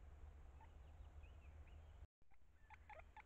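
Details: At the nest cavity during chick feeding, a great spotted woodpecker gives a short cluster of hard, clipped 'kik' notes. Another bird whistles wavering phrases just before them.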